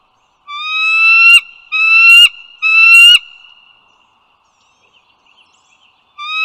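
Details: Morning of 16 April 2022, bald eagles at the Dulles Greenway in northern Virginia: three upslurred, whining calls in quick succession, a long silence, then the start of another, with a faint steady tone behind.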